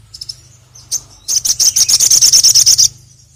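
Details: Sogon bird (sogok ontong) song used as a lure: a few sharp high chirps, then a rapid run of about fifteen very high, buzzy notes repeated evenly for about a second and a half, over a low steady hum.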